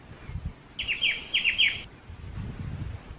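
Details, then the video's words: Black-winged starling singing one short burst of about five sharp downslurred notes in quick succession. A low rumbling background murmur is heard before and after the phrase. "BURUNG CIU // MASTERAN KICAU BURUNG CIU."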